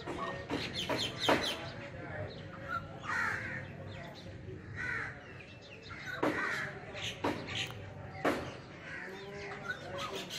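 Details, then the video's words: A rufous treepie (Dendrocitta vagabunda) sings loudly in the jungle, giving harsh, crow-like notes and throaty phrases repeated every second or two over a steady low background hum. "Rufous Treepie Dendrocitta vagabunda Singing In Loud Sound"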